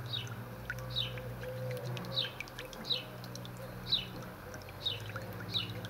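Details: Captive White-rumped shama in a Dutch aviary, singing while foraging, gives short, bright, downward-slurred whistles about once a second, over a steady low hum.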